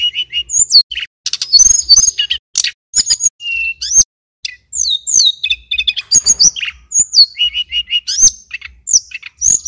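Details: Male mountain tailorbird from Banyuwangi, singing in a lively rolling style for use as a training recording. The song is continuous, fast and very high, with sharp up-and-down whistles, repeated chips and short level notes in varied phrases.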